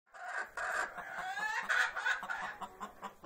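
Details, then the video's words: Hen singing her egg song before laying: loud, harsh, repeated clucks run together into a rapid raspy series, several per second, with rising squawked notes in the middle. "Hen Egg Laying Song"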